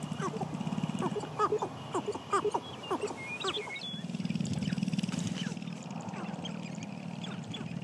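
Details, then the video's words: Wild sharp-tailed grouse dancing at a communal lek on a ranch in Idaho in spring, males competing for hens: a low rapid rattling drum underlies scattered short hoots and clucks, with a faint high whistle and a steady background hum. "Sharptails Dance"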